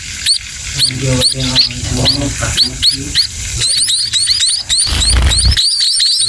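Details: Sparrow chicks being fed by a parent: loud, rapid high-pitched squeaky cheeps that rise and fall, repeated many times and growing denser toward the end, with rustling and low background noise.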